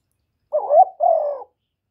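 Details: Spotted dove kept as a decoy to stimulate other caged doves, uttering a soft two-part coo, a wavering rising note followed by a level, slowly falling one.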